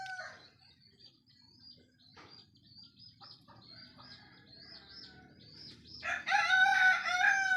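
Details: Rooster crowing, heard as a sign that morning has come, near dawn. A loud, harmonic, broken crow begins late and runs to the end. Steady, rapid, high chirping continues throughout, with faint distant calls near the start.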